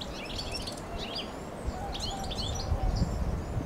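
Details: European goldfinch recorded 23 March 2020 giving quick, tinkling twitters in short high bursts, over a steady low rumble of wind or distant traffic.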